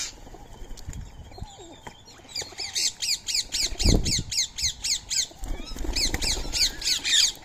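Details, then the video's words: Indian ringneck parakeets, free-living, feeding on soaked rice and corn at 06:30 in the morning on 20 March 2025; rapid series of harsh, repeated squawks in bursts, around four per second, with a low thump and background rustling. "Today's Indian Ringneck Parrot Feeding | Natural Bird Sounds"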